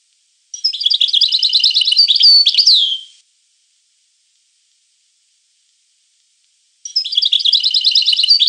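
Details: Two bright twittering phrases from a European goldfinch, each a quick jumble of high liquid notes ending in a down-slurred whistle, separated by a long silence.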